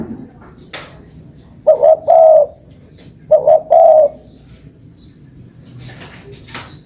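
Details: Two cooing phrases from a spotted dove, played as a lure, each two brief notes and one longer coo, with scattered clicks and light background noise.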